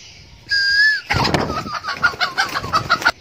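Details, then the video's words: Young red junglefowl kept as a decoy bird crows: one sustained level note, then a quick run of short, repeated, slightly falling notes, with a burst of wing flapping and insects buzzing behind. "Gà mồi tơ"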